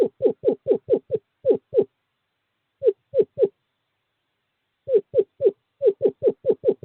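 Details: Male Eastern Screech Owl calling a female to an owl box in courting season, 11 February 2023: soft, mellow hoots in quick runs of three to ten notes, about four per second, with short pauses between runs.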